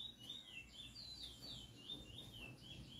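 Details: Close, selected chestnut-bellied seed finch in song, pouring out a loud unbroken chain of clear whistled notes that swing up and down in a wavy rhythm, with faint low rumbling underneath.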